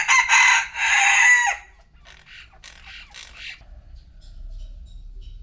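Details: A rooster crows at noon with one loud, hoarse, two-part cock-a-doodle-doo lasting about one and a half seconds. Softer, more distant crowing-like notes follow, then a low rumbling background.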